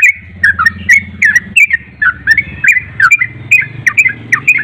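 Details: A Javan pied starling sings vigorously, delivering dense bursts of whistled, chattering notes with sharp clicks in quick irregular succession over a low background hum.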